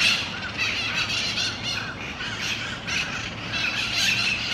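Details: Several mitred parakeets (Psittacara mitratus) feeding on seeds in a Miami-Dade County, Florida park on 4 December 2016 give harsh, grating squawks and screeches in continuous overlapping high-pitched chatter.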